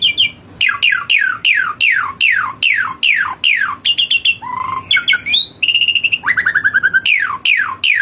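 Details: Asian pied starling singing vigorously, pouring out a fast series of downward-swept whistles mixed with varied warbles, buzzy trills and a stuttering rattle in a loud, continuous medley.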